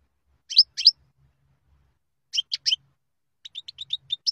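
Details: European goldfinch twittering in spaced bursts: a pair of sharp chirps, then three quick tinkling notes, then a rapid run of short clipped high notes, with a faint low hum in the background.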